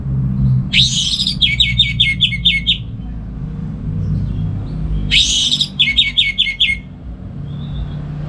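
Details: Kept orange-headed thrush in Singaraja, Bali, giving its morning ngeplong song to train other birds: two phrases, each a buzzy opening note followed by about six rapid, evenly repeated chirps, with low background rumble.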